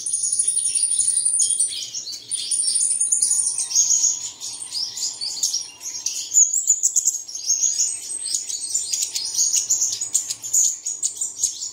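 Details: Birdsong to stir caged birds at daybreak: an unbroken wash of high twittering and chirps, opening with two long, very high drawn-out notes, then dense overlapping tweets to the end.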